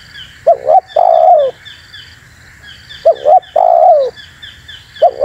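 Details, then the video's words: Spotted dove call for luring wild doves: two full phrases of two short quick notes and a long descending coo, with a third starting, over a steady series of high, thin chirps from other birds. "SUARA BURUNG TEKUKUR UNTUK PIKAT DAN PANCINGAN"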